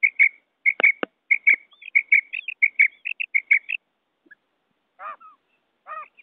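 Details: Quail call recorded as a batair cassette: quick high paired chirps repeat steadily for almost four seconds, some with clicks beneath. After a gap come two short lower, rougher bursts.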